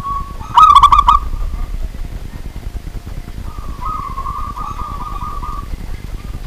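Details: Local wild zebra dove calling at night: a loud burst of rapid, ringing pulses rides on a beaded, trilled coo, and a second rolling trilled phrase follows after a pause, over a constant low rumble.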